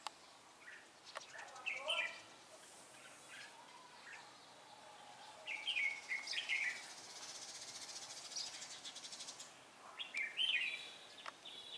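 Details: Red-whiskered bulbul used as a decoy bird for trapping, recorded 3 March 2018: short, fluty, warbled phrases at intervals of about four seconds, over a steady hiss and a high, insect-like hum.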